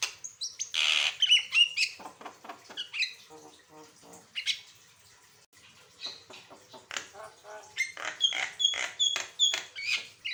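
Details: Asian pied starling in full, energetic song with varied phrases, used as a master recording to prompt other birds to sing: chattering, whistled and harsh notes in quick irregular bursts, with a short quieter gap midway.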